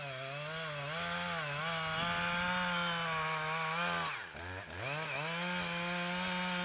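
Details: A chainsaw runs throughout, its engine whine dipping briefly midway before revving back up; no animal sounds.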